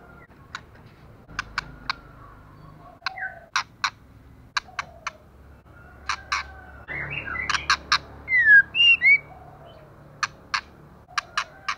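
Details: Female white-rumped shama in heavy moult, almost bald, singing intensely: scattered sharp broadband tack clicks in pairs and triplets, soft whistled notes, then a burst of loud tonal warbled phrases near the end.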